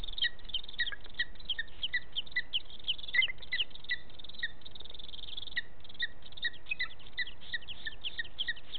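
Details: Booted eagle female at the nest, 7 July 2018, urging the male with a characteristic call and wing movement to bring more prey for the chicks: a steady run of short, high, thin whistled notes repeated quickly and continuously.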